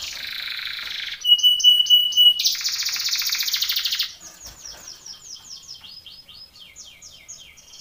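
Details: Belgian canary training song for contest: a buzzy trill, a clear ringing tone, and a loud rolling tour, followed by softer repeated downslurred whistles at a quick pace.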